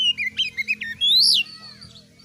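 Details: Oriental magpie-robin (kacer) in full song, a rich whistled phrase of quick notes dipping and rising, then a long loud upslurred whistle swinging high and falling away, with a faint low hum beneath.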